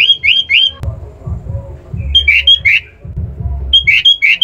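Sooty-headed bulbul giving bright, bubbly phrases of three or four quick fluty notes, repeated about every two seconds over a low throbbing hum.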